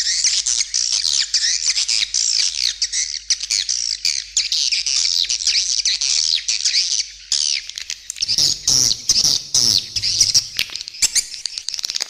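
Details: Edible-nest swiftlet lure call for all locations, including sounds said to make swiftlets nest: a long unbroken chorus of high buzzy twittering, then stuttering clicks and bursts of chatter toward the end.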